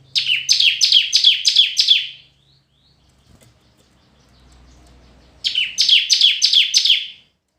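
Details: Red-whiskered bulbul in competitive song: a run of six bright, downward-sweeping whistles, a quiet gap with faint rustling, then another run of five.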